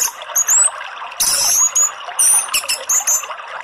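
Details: Orange-headed thrush (Geokichla citrina), song.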